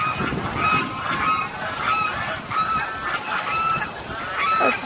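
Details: Domestic geese (uncertain whether geese or ducks) kept inside wire fencing near water honk in a loose chorus, nasal calls repeated every second or so, with a faint murmur of outdoor background.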